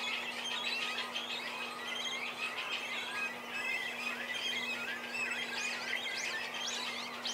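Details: Begging cormorant chicks at feeding time as the parents trade places to bring food; continuous overlapping high squeals and chirps with scattered upward-sweeping notes, over a constant low electrical hum.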